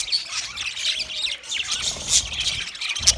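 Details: Budgerigars chirp in a short burst of high, squeaky chatter, with sharper shrill notes standing out near the middle and end above a continuous warbling background.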